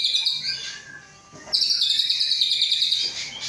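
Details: Captive Aceh white-rumped shama, hatched 23 August 2012, gives a high, rapid rattling trill, a brief pause, then a longer, rattling, metallic trill held for over a second.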